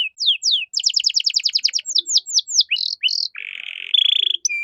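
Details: Canary song meant to tutor caged songbirds: falling whistled slurs, a fast run of repeated notes, then drawn-out buzzy rattling tones near the end.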